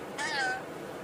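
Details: A rainbow lorikeet talks, giving one brief voice-like word with a wavering, slightly falling tone and clear harmonics, then quiet background.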